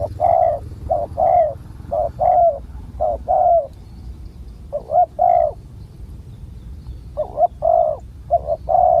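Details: Wild spotted dove with a big coo, approached with a decoy bird in Thailand; loud, hoarse, mid-pitched coo notes repeat in irregular runs about once a second, in short phrases separated by brief pauses.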